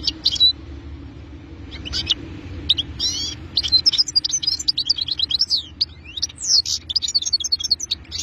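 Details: European goldfinch song, starting with a few scattered high chirps, then building into a fast, continuous tinkling twitter of liquid, metallic notes that runs to the end over a faint low hum.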